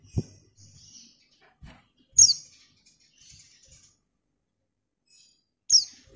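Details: Calling to a male, a female white-eye gives two sharp, high, downslurred notes, joined by faint, thin twittering and a few low knocks.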